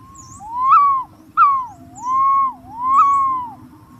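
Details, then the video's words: Green pigeon in a continuous run of looping whistles, each note sliding up to a peak and dipping down, four arches in quick succession; brief high twitters from other birds over a low steady background hum. "suab nquab ntsuab quaj zoo tiếng cu xanh keu"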